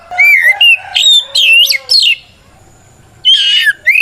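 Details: White-rumped shama challenge song meant to rile other shamas into answering; a fast string of bright looping whistles, then a pause and a harsher descending phrase.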